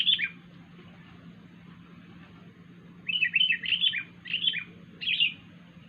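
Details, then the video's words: Strange call of a wild sooty-headed bulbul: one short chirp at the start, a long quiet gap, then a series of five bubbly, falling two-note phrases in quick succession over a faint constant hum. "kutilang liar suara Aneh"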